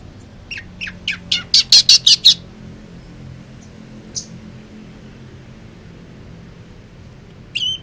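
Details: Caged greater green leafbird cooling off after sunning: a quick accelerating series of sharp, harsh, high chips and squawky notes lasting about two seconds, then quiet with a single later chirp and a brief high whistle.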